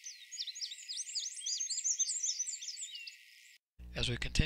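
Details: Black-and-white warbler at Doodletown late in the season sings a long, complex, fully crystallized squeaky-wheel song of very high, thin, rapidly repeated two-note phrases, rather than the usual one-section song; a man's voice briefly follows.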